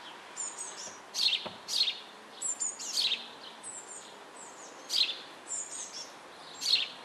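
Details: Eurasian blue tit nestlings in a nest box during feeding, May 2012, shortly before fledging, give thin, high, wheezy begging calls in short bursts, roughly one or two each second, over faint background hiss.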